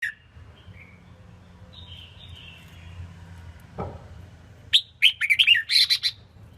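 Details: Female red-whiskered bulbul, kept as a cage bird, sings to stimulate males and fire up competition birds. After a quiet start, a rapid burst of loud, chirpy whistled notes comes near the end, with faint low background hum.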